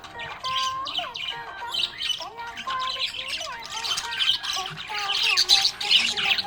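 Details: Budgerigar in cheerful chatter, rapid squeaky chirps and squawks repeated in quick irregular bursts, with wavering lower notes beneath.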